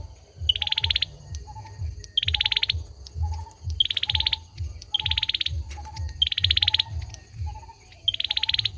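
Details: Male olive-backed sunbird in song, giving six bright, rapid trills spaced roughly a second and a half apart, each introduced by a sharp note, with faint lower chirps and a constant low hum behind.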